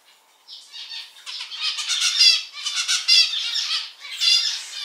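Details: Captive male zebra finch song starting after a short silence: harsh, buzzy, nasal notes in a nearly continuous stream, swelling louder in several waves.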